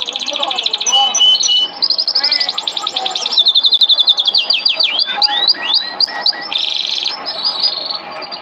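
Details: Canary training song (masteran kenari) for teaching canaries: a fast, high varied warble of rapid trills, buzzy rolls and sweeping downslurred notes, shifting phrase after phrase with little pause.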